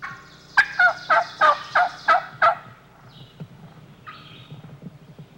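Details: A wild turkey gobbler in spring, in a valley where gobblers are with hens, gobbles a rapid, throaty rattle of about seven bursts in two seconds. Faint, higher thin calls follow, perhaps from a hen, against a quiet background.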